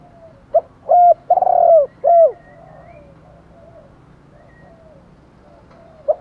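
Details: Spotted doves calling in the morning to attract other doves: a quick note and three low coos with falling tails, then faint softer cooing and one last short note after a pause.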